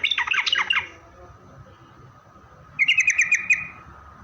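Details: Yellow-vented bulbul song for luring bulbuls to answer: a scratchy, tumbling chatter of falling notes, a pause, then a fast bright trill of nearly a second.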